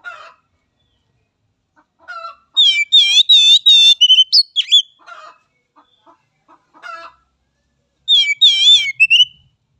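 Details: Oriental magpie-robin song used to train young birds: scattered soft notes, then bursts of rapid, looping whistled trills around 4k with sharp high accents, separated by quieter chips and near silence.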